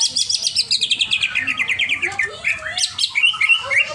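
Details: Over-excited greater green leafbird: a fast train of short clipped notes, about four per second and slowly falling in pitch, then breaking into varied whistled slurs and chirps.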